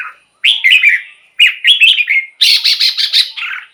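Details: Red-whiskered bulbul song, used to excite caged birds or to lure wild birds: bright chirpy warbled phrases, three short bursts, the last a rapid buzzy string of notes rising higher.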